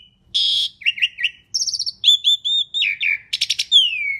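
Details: Asian pied starling singing loudly, song meant as a lure for other birds: a harsh burst, wavering whistles, quick high chirps, rasps and a long descending whistle at the end.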